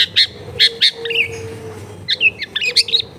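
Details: Long-tailed shrike song recorded at home in a crowded residential area, used as a training recording to make a silent bird start singing: sharp high chirps in short bursts with a few buzzy rising notes, over a steady low hum.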